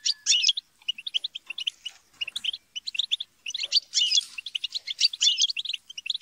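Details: Group chatter and squabbling of European goldfinches meant to encourage singing; bright tinkling twitters in quick runs, interrupted by harsh buzzy squabble notes, voices overlapping, brief pauses between bursts.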